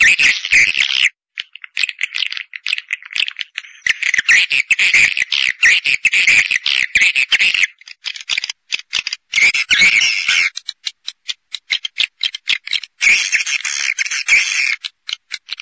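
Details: Swiftlet call-in sound, pancawarna style, meant to attract edible-nest swiftlets: long stretches of thick, churring chatter broken by gaps and clicky ticks, with a slightly higher, thinner twitter in the later part.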